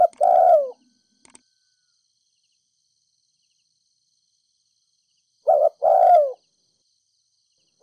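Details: Spotted dove ('mồi đất' bird from Ninh Thuận) giving 'thúc gù' coos to excite decoys: one full phrase of brisk double note plus long falling coo, a long pause, then a second phrase, with silence between.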